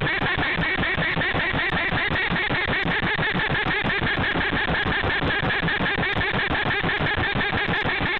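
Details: Peregrine falcon at its nest defending its egg from a bird bander: a continuous, rapid, harsh cackling series of about six notes per second, loud and unbroken throughout.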